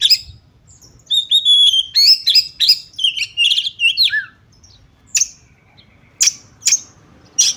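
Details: Female magpie-robin whose calls serve to provoke males to anger and fighting. Sustained high whistled notes and warbled chatter for a few seconds, then sparse, sharp isolated chips with quiet gaps between them.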